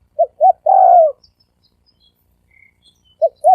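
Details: Spotted dove, thổ sấm đồng cooing meant to attract males, females and wild birds: two short notes and a long falling croo, a pause, then two more short notes beginning the next phrase.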